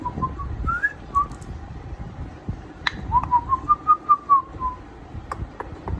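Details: Eight-month-old pet grey parrot that imitates words, phone ringtones and a doorbell, whistling indoors: short tonal whistles, then a longer pulsed phrase of about ten clear notes that rises slightly and then falls.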